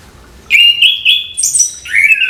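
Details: Morning song of an orange-headed thrush: a strong sustained whistle followed by a higher thin whistled note and a clear falling phrase, on a quiet background.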